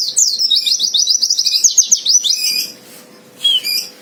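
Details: White-eye fighter song meant to provoke a rival into singing: a fast run of high, sharp chirps repeated about four per second for two and a half seconds, then a brief pause and short high bursts.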